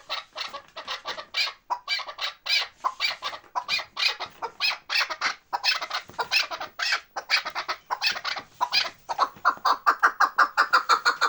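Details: Chukar partridges from Bartang in the Pamir giving a rapid series of harsh, broadband chuck notes, about 86 a minute and irregularly spaced. The notes build into a quicker, denser chatter toward the end.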